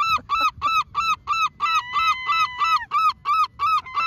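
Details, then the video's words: Gulls being offered food make weird cat-like noises: a fast run of loud, nasal, honking calls, about three per second, each a short harsh yelp with a steady pitch. "Seagull’s making weird noises"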